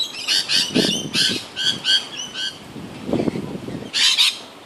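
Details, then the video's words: Lorikeets squabbling over nectar at flowering grevillea, the spider flower or silky oak, give harsh, buzzy screeches in quick bursts of two to four, with a soft low rumble beneath some of the calls. "Lorikeets noises"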